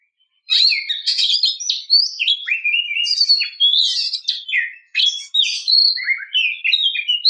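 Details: Oriental magpie-robin female singing to provoke a male. A continuous, fast, varied medley of sharp whistles, chattering buzzes and swooping notes runs for about seven seconds, loud and without pause.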